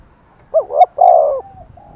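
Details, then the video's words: Decoy spotted dove calling hard to goad wild doves into replying: a single deep, hollow coo phrase, a short looping note followed by a longer drawn-out one. "Tiếng chim cu mồi thúc bổi rất căng và sung, bổi nghe ngứa gan và gáy theo"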